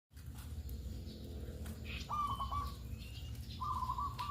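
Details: Zebra dove, a local perkutut, calling in the morning, its calls used as a lure to make other doves answer; two short, rapid, even trilled coos at a steady mid pitch, with a constant low rumbling hum behind.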